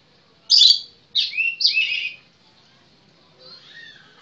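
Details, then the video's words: Magpie-robin (kacer) giving a few loud, harsh, buzzy rasping notes in quick succession, followed by a faint, softer warble against a quiet background. "suara burung kacer mantap cur"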